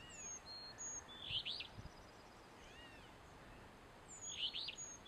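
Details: Alder Flycatcher sings its burry, emphatic "rree-BEE-o" twice, about three seconds apart, from a dead Fraser fir at Carver's Gap, North Carolina–Tennessee line, 4 July 2011; Eastern Towhee, Carolina Chickadee and Gray Catbird chip in the background.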